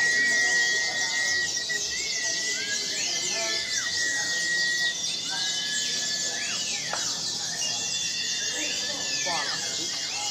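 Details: Caged white-eye with half its wing feathers missing, still in full song: nonstop shrill, fast twittering high up, broken by arching whistled glides and a few short buzzy notes.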